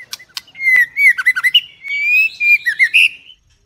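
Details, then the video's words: Song of a female White-rumped shama, first plumage: a sustained rising whistle flowing into rapid looping warbles, a few sharp high ticks at the start, ending in a brighter, higher note. "เสียงนกกางเขนดง หรือบินหลาดง"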